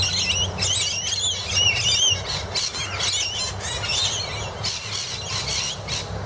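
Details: Several rainbow lorikeets squabble under a Camphor Laurel tree near Arnwood Place, Annerley, trading harsh, shrill screeches and rapid chattering squawks without pause over a steady low rumble of traffic.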